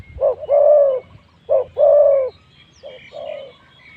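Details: Spotted dove decoy calling to wild spotted doves at spot 136: two loud phrases, each a short note and a long smooth coo, then a fainter answering phrase.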